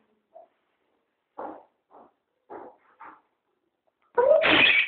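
A young common starling gives a few short, scratchy notes about a second apart, then a louder, harsh rasping screech.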